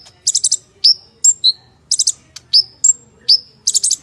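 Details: Purple-throated sunbird (konin) in lively full-isian song with rough 'tembakan' bursts: sharp high chirps and downward-sliding whistles alternate with clusters of rapid buzzy ticks, about one phrase every half second, with no other sounds.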